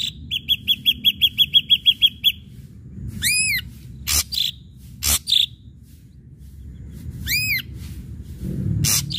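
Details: Ashy drongo song played to provoke other birds into singing: a fast train of about ten short high notes, then loud arched whistles with rich overtones and harsh broad bursts between long pauses.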